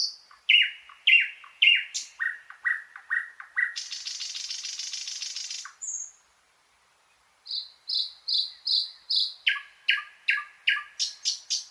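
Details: Thrush nightingale phrases: repeated clipped notes stepping downward, a long dry rattle, a brief high whistle, silence, then a series of steady whistled notes and a fast run of sharp repeated notes.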